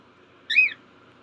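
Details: A 23-day-old hand-fed cockatiel chick gives a single bright, whistled chirp that rises and falls, begging for food.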